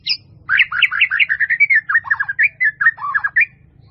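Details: Melodious full 'isian' song of a white-rumped shama, recorded for training: a fast, varied stream of loud whistled and slurred notes, chattering trills early, then dipping warbled phrases, roughly fifteen notes in under four seconds, with a soft low background hum.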